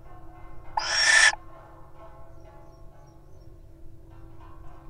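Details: A single harsh, breathy hiss of about half a second from a wild little owl in a nest box, rising slightly in loudness, followed by near silence.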